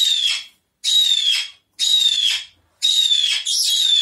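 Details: Blue-fronted amazon screeching: four loud, harsh, slightly falling shrieks, each lasting over half a second and repeated about once a second, with silence between.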